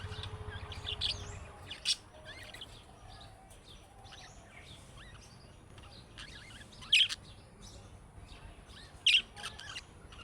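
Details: Budgerigar calls of the chick-style calling kind that draw replies from other budgerigars: scattered soft chirps, then two sharp, loud squawky chirps about two seconds apart, with a low rumble at the start.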